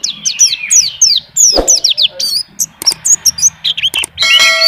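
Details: White-eye, a champion contest bird in Indonesia, singing continuously to show its song fill: dense high twittering and falling notes with a thump midway and buzzy sounds near the end.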